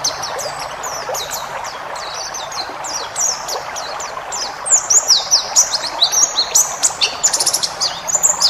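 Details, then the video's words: Wild-style white-eye song played to train caged birds and relieve stress. A busy stream of very high, rapid chirps and short downslurred notes, growing louder and denser in the second half over soft background hiss. "masteran burung pleci ngalas full isian"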